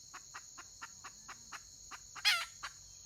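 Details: Red junglefowl hen on 31 May 2023: evenly paced soft clucks about every quarter second, ending in one loud, harsh squawk, with a steady shrill insect chorus throughout.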